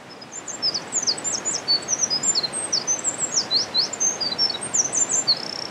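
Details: Eurasian wren in a gorge on 17 March 2020, its first song heard that year, pours out a loud, rapid song of high, sharp notes and quick trills, almost without pause, over a steady rush of water.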